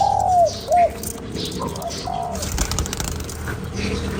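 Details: Spotted dove cooing to excite a lure bird. A long falling hoot is followed by a short clipped note near the start, then only faint, muffled coos trail off against hiss.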